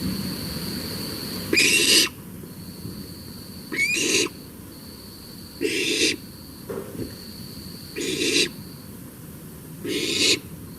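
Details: Barn owl chicks at a nest by Maryland's Patuxent River, recorded at night, calling back and forth in a negotiation: harsh, hissing screeches of about half a second, one every two seconds or so, over a thin steady high whine.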